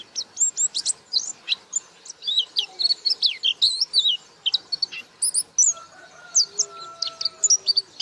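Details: Pleci white-eye singing busily in 'buka paruh' style, a dense, jumbled twitter of shrill, high, slurred notes with hardly a break, while a few faint, long, lower whistles run beneath it in the second half.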